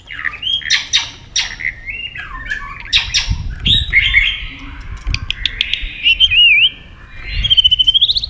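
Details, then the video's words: White-rumped shama singing in competition, tail flicking: harsh broadband squawks and clicks mixed with short whistled slurs, ending in a rapid high trill and a rising whistle. "chòe lửa hót nhấp đuôi tốc độ. kích chòe lửa hót đấu ức chế. chòe lửa nhạy mỏ"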